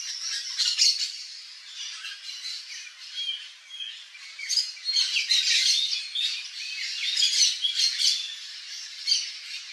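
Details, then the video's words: Yellow-faced parrots (Alipiopsitta xanthops) visiting a backyard in their natural Cerrado habitat in Brazil give harsh, grating squawks and chattering notes, several birds overlapping in an irregular stream, with no other clear sounds. "PAPAGAIO-GALEGO (ALIPIOPSITTA XANTHOPS), YELLOW-FACED PARROT, PAPAGAIO-CURRALEIRO, PAPAGAIO-CURAU"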